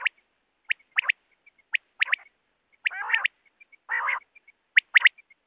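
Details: Wild quail call of the kind used for net hunting: sharp doubled and tripled whistled notes, falling then rising, in bursts roughly every second, with soft short notes between and two harsh broadband bursts.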